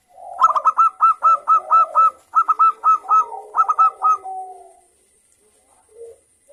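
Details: Local zebra dove singing actively in the morning: a lively run of about a dozen short, clipped cooing notes in quick succession, briefly broken by a pause, then trailing into softer low coos before silence.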